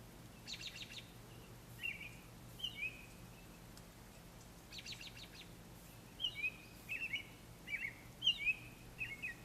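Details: Songbirds at early morning in spring, snow still around, a sound absent through winter; short high chirps and brief trilled bursts come in scattered groups over a low steady hum.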